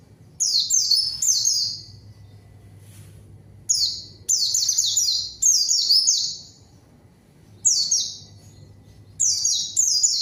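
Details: Zosterops (pleci) song used as a lure to call a rival and make silent birds start singing; bursts of high, thin descending chirps in rapid runs, separated by short pauses, with a faint low hum beneath.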